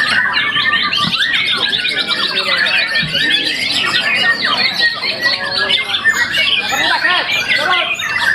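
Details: Young contest-winning white-rumped shama, moulted once, singing a loud, continuous, richly varied song: fast tumbling whistles, harsh chatters and slurred notes packed closely together, with a couple of low knocks.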